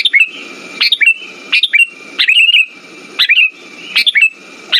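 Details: Sooty-headed bulbul song used to lure and rouse quiet birds: lively rising-and-falling whistled bursts, each a quick cluster of notes, repeating steadily with short gaps, accompanied by a continuous thin whine and low background hiss.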